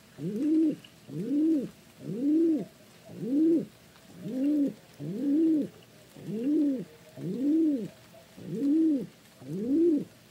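A pigeon gives low, rounded coos that rise and fall, repeated steadily about once a second with no other sounds.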